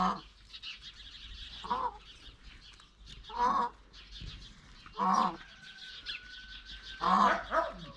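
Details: Indian peafowl kept at a house with peacocks, giving loud, wailing, nasal calls repeated about every one and a half to two seconds, four bursts in all, with a thin steady tone and background hiss.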